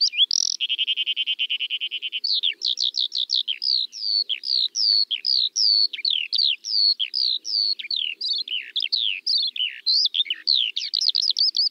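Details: Eurasian skylark song: a fast, unbroken stream of high warbled and trilled notes, opening with a buzzy rattle before rapid chirping slurs that run on without a break, with no other sounds.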